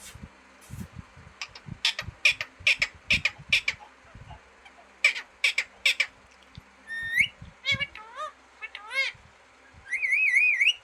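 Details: Green parrot giving a run of short, harsh squawks, then switching to clear whistled notes that rise and wobble, ending in a wavering trill-like whistle, with faint clicks in the background.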